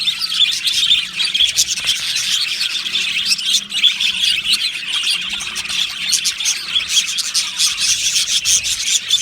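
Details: Aviary flock of Australian budgies keeping up a long stretch of busy chirping and warbling, high and scratchy, with frequent clicky tweets layered through.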